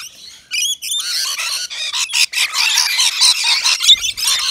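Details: Rainbow lorikeets at a balcony feeder serving nectar wet mix in Australia; a few thin ringing notes open, then a near-continuous wall of grating screeches and squeals from several birds for over three seconds.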